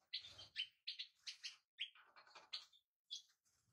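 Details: European goldfinch chirping in clipped, ringing notes about every third of a second, with a soft flutter of wings early on.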